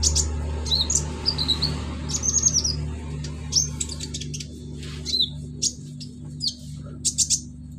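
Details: Konin sunbird singing a song packed with imitations of cililin insects, crickets, golden grasshoppers and chicks: sharp high chirps, short descending whistles and brief buzzy bursts scattered across the clip over a steady low mechanical hum.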